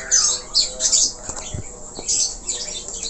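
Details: Budgerigar, Australian parakeet, giving short scratchy chatters and squawky bursts separated by quieter gaps, with a few faint knocking sounds in between.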